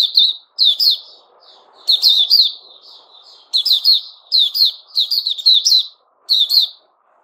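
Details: On 29 August 2021 a white-rumped shama delivers loud, scratchy note clusters roughly every second, with soft twittering between bursts and a faint low background hum.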